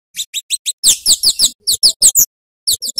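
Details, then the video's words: Scarlet-headed flowerpecker (Cabai Jawa), a lively singing bird used as a tutor recording for other songbirds. Four thin, high chips, then a fast run of sharp, slurred, descending high-pitched notes in bursts, ending with a few more chips. "Masteran Burung Cabai Jawa / Kemade Gacor | Suara Kicauannya Mantap Untuk Isian Burung bahan"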